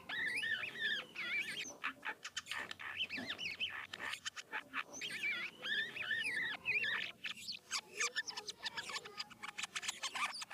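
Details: Asian glossy starling of Philippine stock singing its rolling varied lure song: wavering looped whistles alternating with dense rapid ticking and rattling bursts.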